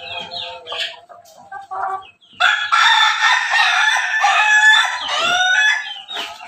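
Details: Cross between ayam ketawa and pelung chickens, Bangkok Jogja type, crowing: rapid choppy broken notes lead into a long loud harsh rolling crow with stuttering bursts near the end.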